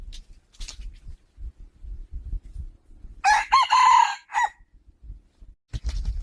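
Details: A rooster crows once, four-part harsh call with a long steady middle note, amid low thumping background noise and faint distant crowing before and after.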